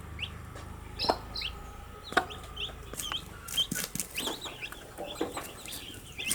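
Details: Young domestic chicks, newly hatched, chirping through their daily activity: scattered thin high peeps, some rising then falling, spaced irregularly among sharp clicks and taps.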